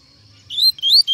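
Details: A double-collared seedeater singing a laranjeira-style song gives a brief, bright phrase of high whistled notes that sweep upward and slur together, in a quiet setting.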